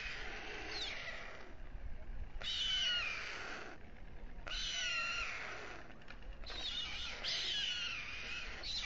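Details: White storks at a nest on the Alcalá de Henares town hall tower, Spain, at dusk while the male feeds two chicks: three long, harsh, hissing rasps, each over a second long with thin whistled overtones, separated by short pauses.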